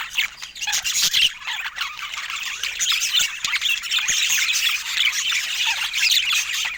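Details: Pet budgerigars chirping together: a dense, continuous chorus of overlapping squeaky chirps, warbles and shrill notes from many birds, with no pauses.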